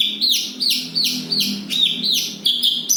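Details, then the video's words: Javan bush lark, Kediri, rolling its song densely: a rhythmic series of loud, falling whistled slurs, roughly three per second, each ending in a sharp high flick, over a soft low background hum. "Branjagan gacor ngeroll rapat."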